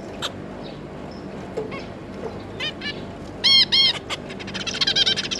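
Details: Zebra finches, a pair with three juveniles, 9 June 2022: soft scattered calls at first, then two long, loud nasal calls close together, ending in a rapid series of short chattering notes.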